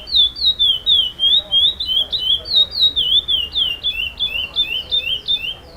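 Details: First-place chestnut-bellied seed finch (curió preto) at a song competition, singing the 'with repetition' style called Mistério: a steady series of clear, slurred whistled notes, about three or four per second, each sliding up then down, over a soft background hum.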